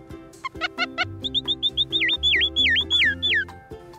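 Long-tailed finch song: a few short clicky notes, then clear high whistles and a run of repeated down-swooping, slurred whistles, over a low steady musical hum.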